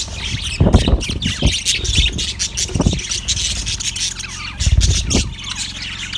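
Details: Yellow budgie chirping, February 18, 2024: scratchy squawks and twittering chatter continue throughout, broken by several heavy low thuds and knocks nearby, with a faint background hum.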